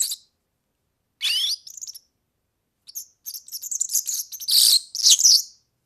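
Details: European serin, a recording for tutoring young birds: brief sharp chirps and a rising whistled note, then a long, fast, sizzling jingle of high, buzzy notes.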